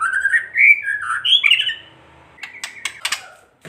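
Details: White-rumped shama pouring out loud varied whistled and warbled phrases, then a series of sharp dry clicks, a crackling style used to stir rival shamas to sing.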